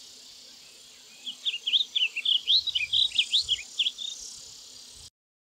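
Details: Blue grosbeak giving a quick, rich warbling run of short twisting notes lasting about four seconds. A steady high insect drone and faint low rumbles fill the background.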